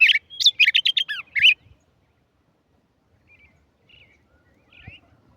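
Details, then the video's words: Tigrillo singing a quick burst of about eight crisp chirps and descending whistled slurs, then falling mostly quiet with a few faint soft notes afterward. "tigerillo cantando"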